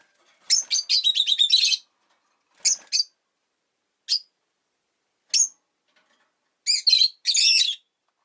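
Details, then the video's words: One of five pet rosy-faced lovebirds kept caged by a window, calling in winter. A rapid chattering burst opens, then isolated sharp chirps follow, and it closes with a pair of dense, squeaky trills. "Lovebird Chirping Sounds"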